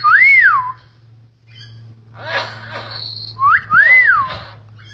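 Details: Common hill myna, a talking bird said to imitate greetings, coughing and a woman's speech. Here it gives two loud arched whistles that rise then fall, with harsh, scratchy, speech-like notes between them and a steady low hum behind.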